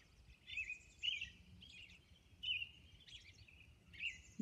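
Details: Robin singing at dawn on Orcas Island: clear whistled phrases in short bursts roughly every half second to second, interspersed with thin higher squeaky notes, over a low steady background hum.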